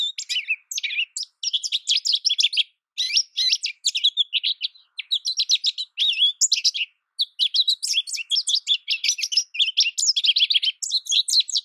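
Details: Extended American goldfinch song, fast and varied, made of high chattering notes, short trills and warbled slurs delivered in bursts of several seconds separated by brief silences.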